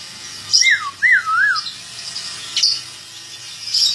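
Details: Oriental magpie-robin of the white-breasted 'kacer poci' form, a national champion at the 2017 Bupati Cup songbird contest, singing two clear whistled phrases that slur downward and waver, then sharp high chips, over faint chatter from other birds.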